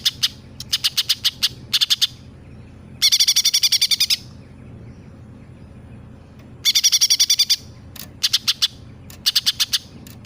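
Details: Greater green leafbird singing while imitating a sparrow, a tailorbird and other birds: rapid trains of sharp high clicking ticks in bursts, with two longer dense rattling runs, loud and clean against quiet background.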